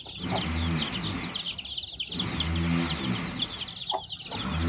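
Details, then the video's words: Newborn chicks hatching on a farm, hen with hatching eggs; rapid high chick peeps fill the background while low clucking bursts from the hen come and go. "My new born chick hatching at my farm lovely/hen hatching egg to chicks"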